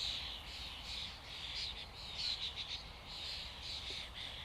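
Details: Many common starlings chatter together in a flock, producing a thick mix of squeaks, whistles and buzzy notes that swells and fades in loudness.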